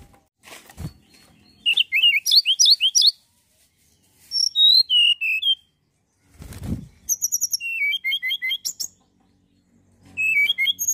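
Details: Mountain tailorbird singing energetically, used to lure other birds into song: high thin whistled notes stepping down in quick descending runs, with several bursts and short pauses between them, plus a few soft thumps.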